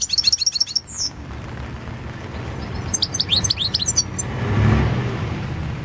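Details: European goldfinch from a 2016 world championship song competition: a quick high twittering phrase with a falling slur, a pause, then another burst of chirps, while a vehicle passes in the background.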